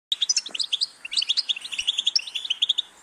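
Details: European goldfinch song: rapid, tinkling twitter of short, bright notes, some buzzy, delivered in a continuous stream with brief high whistled accents.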